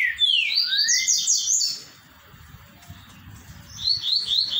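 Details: Green-winged saltator, "3 notas boi" song style: a sweeping run of bright whistled notes climbing in pitch, a quiet gap of about two seconds, then a similar ringing phrase starting again.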